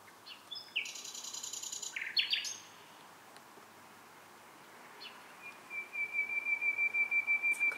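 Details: Nocturnal bird song with a buzzy high trill and a brief rising note, a quiet gap, then a long pure whistle followed by a run of rapid repeated notes.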